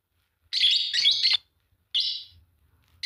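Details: Green Fischer's lovebird pair chirping: a loud, harsh, buzzy chatter lasting almost a second, a shorter shrill burst after a pause, then the start of another.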